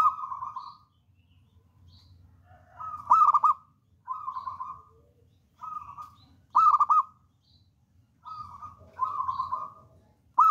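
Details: Local wild-type zebra dove, bold and singing a lot, used as a lure recording: repeated low cooing phrases every second or two, with loud staccato trilled bursts scattered among softer wavering coos.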